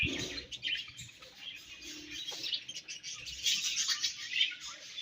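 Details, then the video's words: Budgerigars chirping during feeding and food exchange, a steady high twittering chorus of squeaks, warbles and short trills, with a brief soft low thump at the start and chatter swelling toward the end. "Budgies Chirping Sounds"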